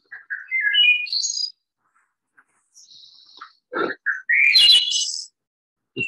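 Wood Thrush song: two flute-like phrases of clear notes stepping upward, each ending in a high, shimmering trill, with a short pause between them.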